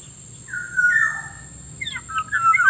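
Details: Black-naped oriole call played to lure wild birds: a smooth whistled note rising then sliding down, a pause, then a burst of short sharp chirps and whistles, with a constant faint high hiss-tone.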